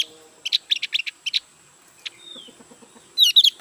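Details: A newly acquired Javan grey-throated white-eye kept in captivity utters spaced high chirps, a thin falling whistle, then a brief loud twittering flourish at the end.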